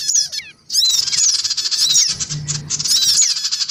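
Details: Male and female black-winged cuckooshrikes plus young, a lure recording meant to draw small birds: dense, harsh chattering with squeaky sliding notes, broken by a brief pause near the start.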